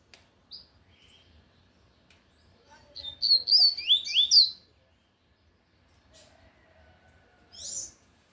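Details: Loud tui tui song from a lined seedeater: a single early note, then a dense phrase of rapid, looping high whistles, and a short final note after a pause.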